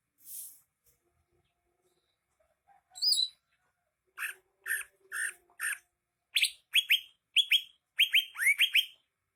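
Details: After a near-silent opening, a greater green leafbird gives one high whistle, then short chirps about twice a second, building into a rapid series of sharp falling whistles.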